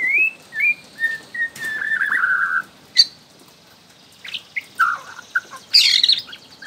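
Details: A young wild-caught Bornean White-rumped shama (Copsychus malabaricus) sings short clear whistles, a slurred lower phrase, then scratchy high notes and, after a pause, a burst of rich warbling.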